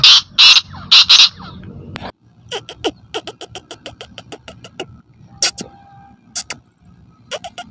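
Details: Black francolin (kala teetar) in a Sindhi setting: four loud, harsh, grating bursts in two quick pairs, followed by a long run of fast, dry clicking notes and a few fainter rasping calls.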